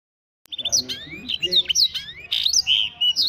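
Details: Canary singing in a style imitating the blackthroat, recorded in Wiradesa, Pekalongan: a fast, varied run of high whistled slurs, rising sweeps and sharp chirps, with a low background hum.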